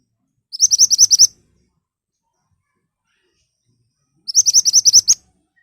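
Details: Sharp lure song of an ashy tailorbird, meant to prompt other birds to answer: two quick volleys of seven or eight ringing, high notes, separated by nearly four seconds of silence.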